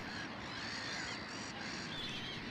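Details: Black-headed gull in Finland in summer, a mother giving harsh, grating cries while scolding her chick to keep it from the water, over a steady wash of outdoor noise.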